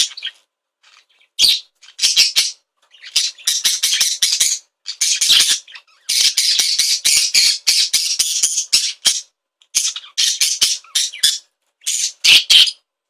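An excited budgerigar chatters in fast bursts of harsh, buzzy squawks and chirps, high-pitched and nearly nonstop.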